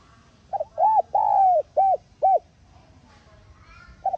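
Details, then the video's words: Spotted dove calling, used to stimulate a decoy dove to sing: a quick pair of short notes, then a long arched coo and two clipped hooked coos, resonant and mellow, before a brief pause and a new start. "Tiếng Cu Gáy Hạp BổI [ TGÁY GỌI ] Kích Bổi Nhanh Nổi"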